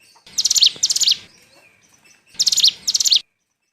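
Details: Bar-winged prinia, call used to lure birds for trapping: two pairs of loud, high, rapidly pulsed buzzy phrases, each pair ending in a quick down-slur, separated by about a second of quiet.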